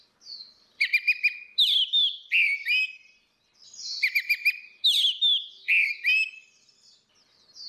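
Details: Male and female orange-headed thrushes in ngeplong song, a lure for a bird that will not sing: two matching bursts of rapid chips followed by swooping slurred whistles, separated by a brief pause.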